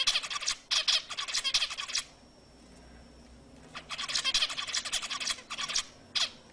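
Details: Zebra finch mating-stimulation song: two long volleys of fast, buzzy, nasal notes split by a quiet stretch of nearly two seconds, ending with one isolated short note.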